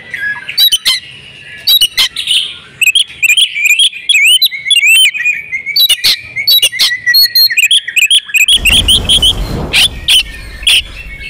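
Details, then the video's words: Female oriental magpie-robin in breeding condition, calling to stir males into song: a busy run of sharp clicks and short upslurred whistles, then a burst of broadband rustling noise near the end. "kacer betina birahi"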